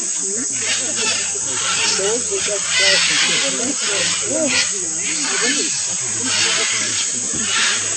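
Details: A large mixed flock of blue-and-yellow, red-and-green and scarlet macaws keeps up constant overlapping harsh squawks and screeches while eating clay at Chuncho Clay Lick, Tambopata Reserve, Peru, 22 October 2015, over hiss-like noise.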